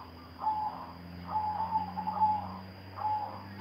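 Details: Silver-coloured zebra dove cooing in bekur and cetekan style: three rolling mid-pitched phrases with gaps of about a second, with a constant electrical whine and low humming throughout.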